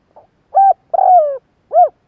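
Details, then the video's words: Spotted dove call: a faint short note, then a rounded hoot, a longer slurred coo sliding downward, and a final arched hoot. Clean and loud, with no background sounds. "Tiếng chim gáy gọi hay kích bổi nhanh nổi"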